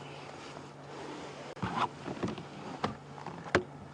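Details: Low vehicle engine drone with wind and a few sharp knocks and bumps at a sunset safari drive; no animal calls.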